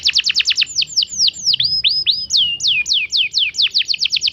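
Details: Young canary giving a lure song to draw quick replies from other canaries: a fast series of loud, high, downward-sweeping whistled notes, about four to five per second, slowing briefly in the middle and speeding up again.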